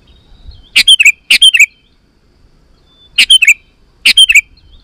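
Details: Lively sooty-headed bulbul song meant to provoke wild bulbuls to respond: four quick, bubbly phrases of clipped high notes, heard as two pairs separated by a silent gap.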